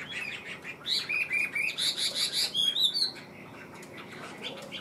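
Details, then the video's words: Caged Chinese hwamei, a large male songbird, delivers a rapid burst of high, clear whistled notes in a repeated series lasting about two seconds, then drops to quieter warbling. "Ngũ trường bộ to, hót tốt, bóng bộ cực đẹp | Họat Họa Mi"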